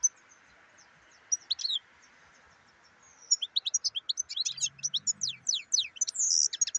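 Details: Bright tinkling song of a black-headed European goldfinch: a few scattered high notes, then a dense, rapid, jangling stream of chirps and trills building toward the end, with a faint steady hum behind.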